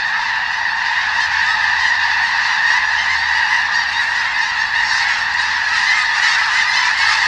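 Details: Huge flock of snow geese, several thousand birds, on a sprouting wheat field in the Skagit Delta, Washington State, keeping up a steady roar of countless overlapping nasal honks, with a faint low hum underneath.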